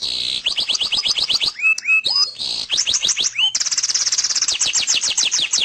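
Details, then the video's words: Canary in full, energetic song: fast trills of sharp upswept notes, a pause with a few looping whistled slurs, then a rolling buzzy trill that speeds into rapid repeated chips, all high-pitched and clear. "Kicau kenari suara mantap gacor cor dorr"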